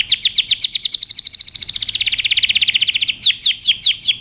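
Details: Aroused male canary singing so the female will take the mating position: quick downward-sweeping chirps merge into a long, even, rattling trill, then return to slower, louder descending notes.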